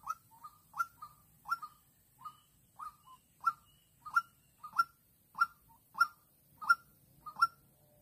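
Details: A white-breasted waterhen kept as a trapping decoy in Vĩnh Long, recorded 16/3/2022 while luring a combative lone wild female. It gives a steady run of about twelve sharp, slightly descending notes, some doubled, roughly every 0.65 seconds, over a quiet background.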